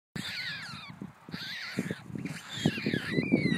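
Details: Newly hatched white stork chicks in the wetland at Nordens Ark, Sweden, give thin, wavering, mewing calls that slide up and down in pitch, over soft thumps and rustling.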